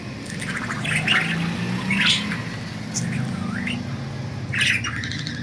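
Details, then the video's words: Pet budgies flying free give scattered chirps and a rising squeak over a loud low hum. "Budgies Enjoying Freedom and Chirping"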